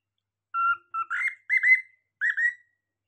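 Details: Cockatiel producing a few flat whistled notes followed by louder, slightly rising whistled calls, mostly in pairs, in a quiet setting.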